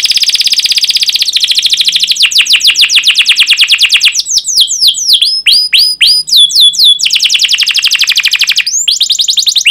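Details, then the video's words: Long, vigorous canary song used to coax other canaries into song: a dense high trill, then a fast roll of repeated notes, a burst of sharp varied chips and whistles, and a return to rolling trills. "PANCINGAN Kenari GACOR PANJANG Cuit CUIT EMOSI"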